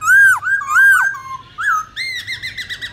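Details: Black-throated laughingthrush giving wild-voice song to teach young birds: two clear, looping whistled notes, a soft low slur and a rising flick, then a rapid series of short, bright whistles repeated several times a second.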